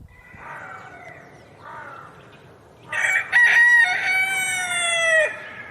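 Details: Two faint, softer calls are followed by a rooster's loud crow. The crow starts with a broken opening, then holds a bright, sustained tone for about two seconds before dropping at the end.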